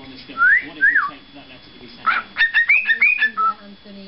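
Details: Male pet parrot attempting the closing line of "Pop Goes the Weasel": two smooth rising-falling whistles, then a quick string of short chirpy whistled notes at varying pitch.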